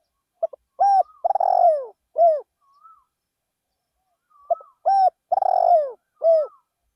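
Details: Decoy spotted dove singing in a rice field to draw in wild doves. Two complete cooing phrases about four seconds apart, each with quick short notes, a rolling purr and a downward-sliding final coo, with a faint whistle between them.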